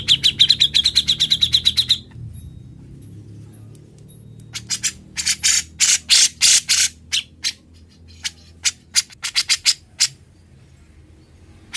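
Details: Grey-cheeked bulbul singing in fast ngebren style for training other birds: a rapid two-second trill of high, sharp notes, a pause, then bursts of loud, harsh chattering notes, some clustered, others spaced irregularly.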